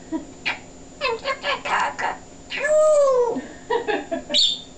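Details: Talking pet African grey parrot, a male, producing a string of speech-like syllables followed by a long drawn-out falling tone, almost meow-like, then more chattering syllables and a short high squeak.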